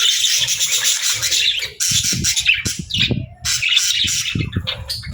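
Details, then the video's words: Happy, friendly pet budgie chattering in bursts: scratchy warbled chirps and squawks separated by brief pauses, with soft low knocking or handling noises between phrases. "Happy Budgie Sounds"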